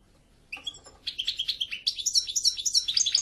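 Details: European goldfinch twittering: an opening chirp, then an accelerating stream of bright, liquid, high notes repeated several times per second.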